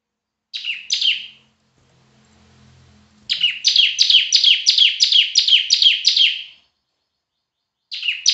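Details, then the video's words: Bar-winged prinia, a loud, fairly fluent bird: two sharp high notes, a pause with faint low hum, then a fast, even series of about a dozen buzzy, high descending notes, followed later by another note. "Burung Ciblek Semi Gacor Suara Keras"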